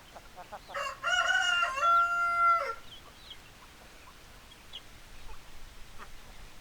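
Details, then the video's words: A rooster crows loudly once, a long drawn-out cock-a-doodle-doo lasting about two seconds, preceded by soft clucks, with quieter hens clucking afterwards. "Chicken Sounds Noises Hens Clucking Roosters Crowing"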